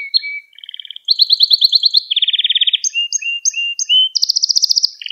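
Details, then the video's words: Canary song meant for teaching young canaries, varied phrases: short whistles, a bright high trill, a low rapid rattle, a series of separate rising notes, then a fast trill at the end. "Kanaryanız Çıldıracak Ders Gibi Kanarya Sesi Ve Ötüşü"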